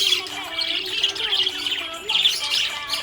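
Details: A budgerigar called happy chatters in dense, buzzy chirps, with a louder burst of warbling near the end, over faint steady music.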